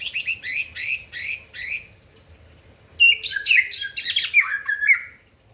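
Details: White-rumped shama singing to provoke rivals: a burst of four rapid, harsh chattering note groups, a short pause, then loud whistled phrases sliding downward with buzzy trills, clear and close with no other sounds.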